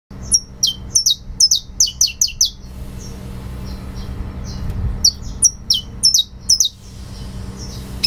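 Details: Saffron finch singing in the fibra style: bursts of sharp, high, downslurred chips in quick succession, a brief pause near the middle, then a second run of ringing notes over a low steady hum.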